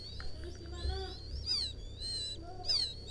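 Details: Young rice-field quail calling its mother in a lure recording: faint warbling notes give way to two louder high, falling chirps over noticeable low rumbling background noise.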